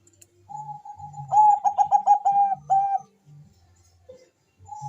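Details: Zebra dove, a Bangkok-type perkutut, calling fast as a lure: a long steady whistled note, then a rapid run of about six bubbly cooing pulses, with a faint low thumping underneath.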